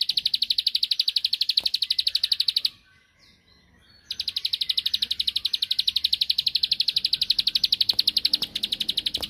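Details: Bar-winged prinia song aimed at provoking a rival to respond, long bursts of quick, regular, piercing high clicks with one short gap in the middle.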